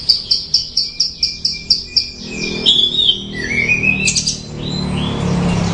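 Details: Bushlark song: a fast regular series of about ten high chirps, then a tumbling warble of slurred whistles and buzzy notes fading out, with faint low background noise.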